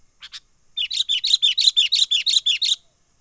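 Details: Sooty-headed bulbul lure call, menggaruda style, recorded wild and used for trapping: two soft notes, then a fast, even series of about fourteen bright, bubbly notes.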